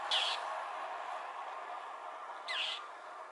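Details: Mockingbird voicing displeasure at a Cooper's hawk atop a power pole on Potrero Road, Newbury Park. Two short, harsh chattering squawks roughly two and a half seconds apart, partly masked by a loud steady rumble.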